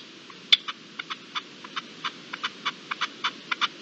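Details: Partridge calling at dusk on 7 April 2022: a series of short, dry, clipped notes repeated irregularly, some louder and sharper than others, over a quiet background.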